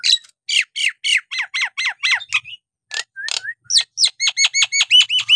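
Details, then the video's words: Vigorous Nias hill myna song meant to goad lazy mynas into answering: dense volleys of loud, sharp, steeply falling notes, with a few rising slurred whistles mid-way, ending in a fast stuttering run of bright chips. "jalak nias gacor!! buat terapi jalak nias bahan atau yg malas bunyi agar gacor kembali"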